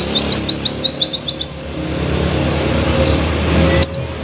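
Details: Canary in moult, singing in the dominant 'tembakan' style: a quick burst of about eight sharp, downslurred high notes in under two seconds, then a steady low hum and faint background noise with a click near the end.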